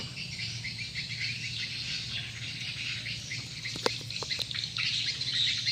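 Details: Swiftlets responding to a played lure call, the birds said to be swirling and gathering; dense overlapping high chirps and twitters run continuously, with a low steady hum underneath.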